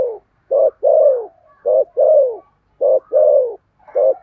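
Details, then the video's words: Spotted dove decoy singing in the 'thổ' style to draw in other birds; steady cooing phrases pair a brief low note with a longer downward-sliding coo, repeated rhythmically about once a second. "Chim Cu Mồi giọng THỔ"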